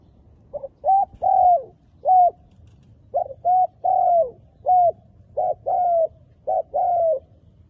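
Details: Decoy spotted dove calling wild doves into a trap: about four rhythmic phrases of two or three mellow coos, the last note in each longer and downslurred, delivered steadily against a quiet background.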